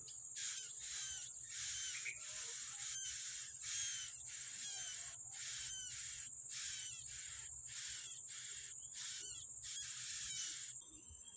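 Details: Wild yellow-bellied prinia bringing food to its young: a long sequence of rasping, hissy bursts, roughly two per second, some with faint slurred whistles, over a constant high-pitched insect drone.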